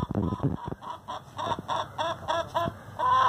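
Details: Fat free-range hen loudly complaining, likely over who lays in which nest: a steady series of nasal, harmonic squawks repeated about every quarter second, ending in a longer drawn note.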